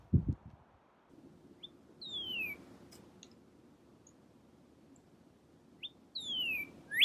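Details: A Northern Cardinal calling on a snowy winter walk: two clear, high whistles sliding steeply downward, about four seconds apart, over a low wind-like rumble and a thump.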